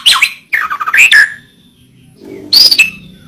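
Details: Murai batu, the white-rumped shama, in masteran recording: harsh squawky phrases and slurred descending notes, a pause, then a loud high rasping burst.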